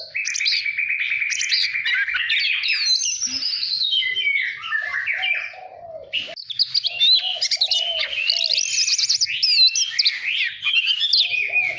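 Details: White-rumped shama singing for voice training: a rich, varied stream of clear whistles, slurred trills and quick warbled phrases, shifting between high sweeping notes and lower repeated mellow notes, continuous throughout.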